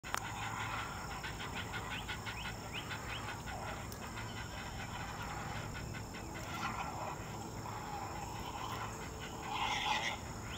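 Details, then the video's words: During morning feeding, a family of young great blue herons gives rapid, harsh clacking bursts, rising from semi-quiet chirps to loud noise with wing flapping, possibly sibling rivalry, as an adult looks on, over wind and low hum. "feisty young great blue herons during morning feeding"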